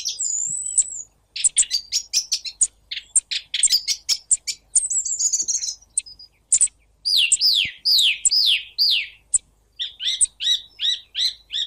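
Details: Song thrush singing a varied run of high whistled and chirping phrases. Several short notes are each repeated three or four times in quick succession, with brief pauses between phrases. No other sounds stand out.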